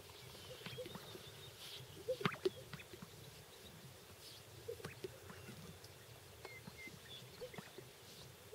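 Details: Greater sage-grouse filmed in Wasatch County, Utah, on April 29, 2013; low popping and swishing bursts recur about every two and a half seconds over a quiet rural background, with faint high chirps from other birds.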